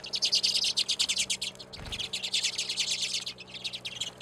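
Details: Redpolls, small cold-weather finches, calling at a seed feeder by a back deck in Anchorage, Alaska, in February; a dense stream of rapid, high, dry zapping chips and rattling trills overlaps almost without pause, with a brief soft thump partway through.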